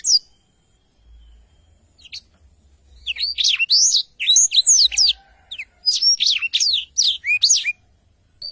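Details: Black-throated canary, quiet at first, then launching into repeated high swooping whistles and chirps in quick succession.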